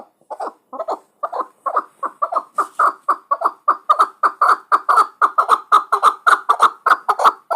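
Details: Muminobod chukar partridge, a hunting bird, delivering a long series of harsh chuck notes that starts hesitantly, then speeds into a steady rhythm of about three per second and grows louder throughout.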